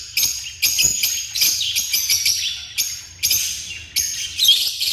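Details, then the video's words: African lovebirds in a constant stream of shrill, harsh screeching, with short grating bursts repeated several times a second almost without pause. "The Vibrant Sounds of African Love Birds"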